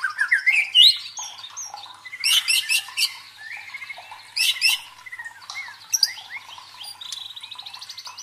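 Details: White-rumped shama singing a provoking song to train competition fighting birds: rising whistled notes, loud buzzy rattles repeated in bursts, then faint whistles and a trill near the end.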